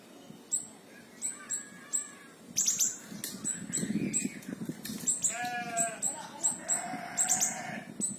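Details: Small minivet (siri-siri kecil) 'tembakan' song, a recording for tutoring murai batu, cucak ijo, kacer and cendet: thin, very high chipping notes repeated in quick runs, with lower buzzy, bleat-like harmonic sounds and a low background rumble.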